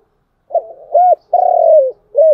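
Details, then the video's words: Spotted dove cooing in the chiêu and thúc styles: a soft rolling introductory note, a short arched coo, a long falling coo, then the start of another short coo. "Tiếng cu gáy chiêu và thúc hay"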